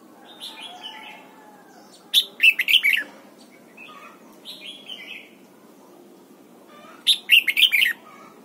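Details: Red-whiskered bulbul in morning song training, pushed toward the wild double-note 'âm kép già rừng' style. Quieter warbles lead into two strong bursts of rapid whistled notes about five seconds apart, with softer phrases between.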